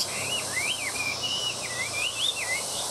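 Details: Caged hwamei singing at midday: clear whistled phrases sliding up and down in loops, steady and unbroken across the clip over a faint background hiss.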